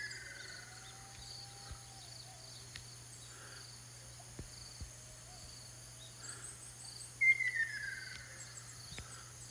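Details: Ruddy kingfisher on Amami, Japan: after a quiet stretch with a faint drawn-out tone, one loud whistled call slides downward and fades, over a steady hum of insects.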